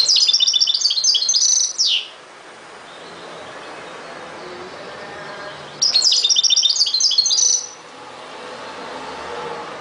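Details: Goldfinch singing two dense twittering phrases of high tinkling notes, each finishing with a falling slur, separated by about four seconds of soft background noise.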